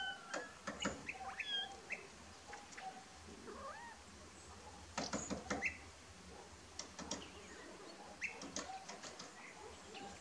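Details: A Grey-headed Woodpecker on a house roof pecks in sharp, irregular knocks and short bursts of taps, with brief squeaky chirps from other birds between them.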